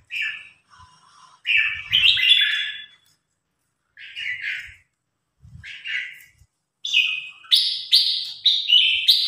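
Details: Red-whiskered bulbul, a newly acquired bird in training, singing in competition against a top provincial-ranked bulbul: bright whistled phrases with rising and falling notes, in bursts separated by short pauses, some low thumps below.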